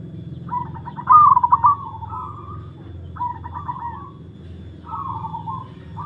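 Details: Old kept zebra dove (perkutut) singing under test. It repeats trilled, bubbling coos three times, the first loudest with rapid pulsed notes and the others fading into softer drawn-out endings, over a constant low hum.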